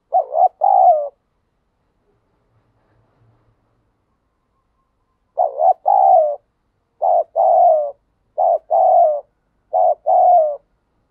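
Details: Spotted dove cooing in the wild in its challenge style. Mid-pitched two-note coo phrases come in a short burst, then after a silent gap several more phrases follow about every 1.3 seconds, clean against a quiet background.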